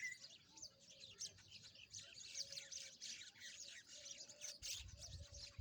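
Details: Rosy-faced lovebirds at play. A continuous stream of bright, high chirps and twitters overlaps throughout, with a faint low rumble near the end.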